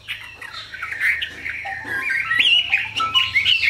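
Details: Captive Chinese hwamei, a tame bird of large build with a fine singing voice, delivers a jumbled warble of quick notes that grows louder, ending in bright, high whistled flourishes.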